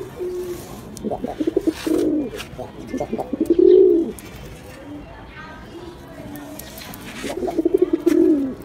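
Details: Pigeon coos in low, warbling phrases: stuttered lead-in notes build to a swelling throaty hum, heard twice with a quieter gap between.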